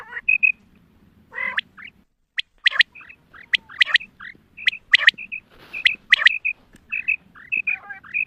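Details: Female quail hunting calls: scattered bright whistled pairs and harsh buzzy bursts with short pauses, a noisy rasp near six seconds, and a low hum in the first two seconds.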